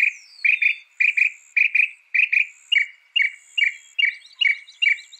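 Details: Northern mockingbird singing: paired chirps repeated roughly every half second, steady and loud, opening with a thin falling whistle.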